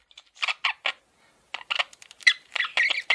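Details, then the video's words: Pet male budgerigar giving a few separate harsh chirps, a short silence, then a quick run of squeaky chattering notes. "MALE PARAKEET SOUNDS"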